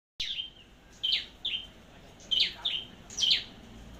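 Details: Red-headed flowerpecker (chim sâu đầu đỏ) from Long Thành, Vietnam, kept for competitive singing and training as a decoy bird: six sharp, high, down-slurred chips in about four seconds, irregularly spaced, over a quiet background.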